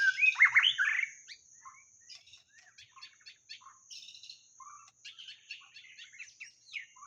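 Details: White-rumped shama singing, a recording meant for luring: a loud tumbling opening phrase, then softer rapid chattering notes and short whistles, a thin steady high whine behind.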